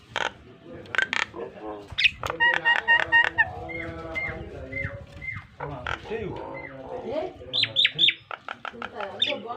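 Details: Nias hill myna song offered as a model for training pet mynas: loud varied phrases mixing harsh broadband bursts, ringing whistled notes and buzzy, nasal segments, delivered in quick irregular series with short pauses.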